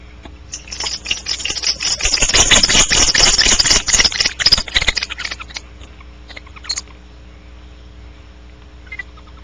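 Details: Barn owl outside the nest cavity at Audubon Starr Ranch: a harsh, broadband raspy screech lasting about four seconds, fading into quiet with a brief scrape near the end over a steady low hum.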